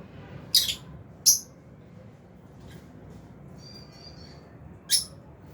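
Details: Albino and Fisher's lovebirds feeding in an aviary utter sparse, piercing chirps, a quick pair early, then a soft twittering trill and a single final chirp after a long pause.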